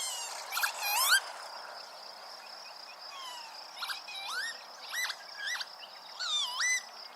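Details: Northern Lapwing visiting a puddle by a meadow in early July 2023 gives wheezy, slurred pee-wit calls that swoop up and down, repeated every second or so over a soft outdoor hiss.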